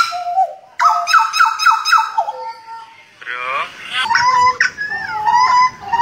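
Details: A butcherbird from Jayapura, Papua, sings rich, fluty, voice-like phrases: repeated mid-pitched notes, a short rapid rattling burst, then sliding, descending whistles.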